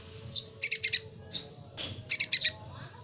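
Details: Juvenile yellow-vented bulbul practising its song: two rounds of a brief high chirp followed by a quick triplet of bright, rattly notes, over a steady low hum.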